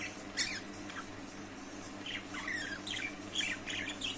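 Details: Budgerigar calls: faint, fast chattering chirps and short rising squeaks in quick irregular runs over a steady background hum.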